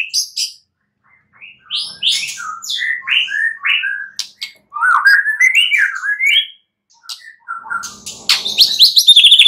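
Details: White-rumped shama heard at night, varied whistled and chirping phrases jumping between high and middle pitch, ending in a rapid high trill; played to encourage singing.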